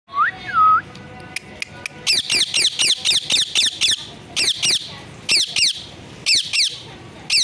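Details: Pet parrot said to say 'mummy papa', 'mithu' and 'sitaram': two short whistled, speech-like tonal phrases at the start, then a long run of harsh, rapidly repeated descending squawks.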